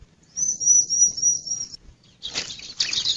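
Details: Male bar-winged prinia giving one thin, high-pitched rapid trill lasting over a second, followed by a brief pause and then a burst of fluttering, scratchy noise.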